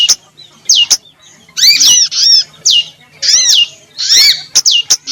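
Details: Lure call of a female prenjak lumut, the yellow-bellied prinia: sharp downward-sliding chips alternate with denser clusters of arched, buzzy chirps, spaced irregularly with short silences between.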